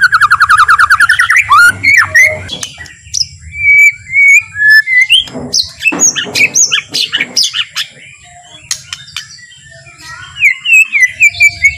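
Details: White-rumped shama (murai batu) singing a slow, relaxed song meant to provoke other shamas into singing: a rapid trilled run at the start, then clear whistled notes, slurred phrases and sharp chips, with a steady low hum underneath.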